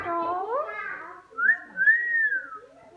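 A parrot gives a rising, voice-like warble, then two clear sliding whistles that rise and fall. A faint voice is heard in a quiet room.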